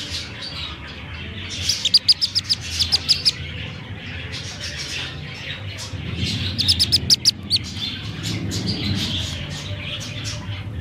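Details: Black-bellied whistling duck chick found at a roadside around half past six in the evening, giving a distress call: thin, high peeps in quick, uneven bursts near two and seven seconds, over a low rumbling background.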